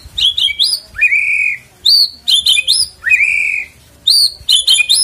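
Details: Lure song of a white-rumped shama to draw a bird into singing: short bursts of high chipping notes alternate with long, clear upslurred whistles, phrases spaced about a second apart.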